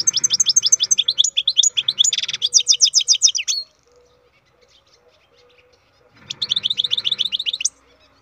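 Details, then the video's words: A captive-bred European goldfinch sings a long, fast stream of high twittering notes broken by a harsh buzzy rattle. After a quiet spell comes a second bright, rapid run that rises at the end. "Goldfinch carduelis singing"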